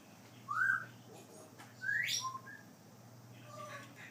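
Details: Hand-fed baby grey parrot seeking affection right after feeding: two loud, rising, whistled squeals about a second apart, the second sweeping sharply upward, followed by softer short squeaks over a steady low hum.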